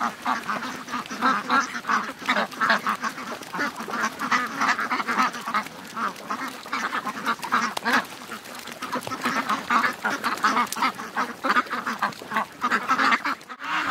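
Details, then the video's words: More than 700 ducks and geese rushing to the lake at morning; constant chattering quacks and honks pile over one another throughout, loud and continuous, with brief louder surges. "700+ Ducks & Geese Morning Rush"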